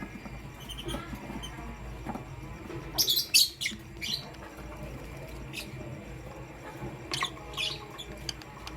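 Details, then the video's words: Morning lovebird chirping, pastel gray and green birds: quieter, with a cluster of sharp high chirps around three to four seconds and a few more later over a noisy, humming background. "Pastel Gray LoveBird Chirping Sound"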